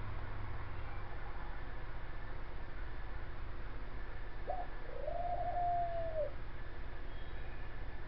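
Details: Caged female rescue dove on a front porch after breakfast in June gives a single coo: a brief introductory note followed by a drawn-out, low, gently arching purr lasting over a second, against a steady background hum.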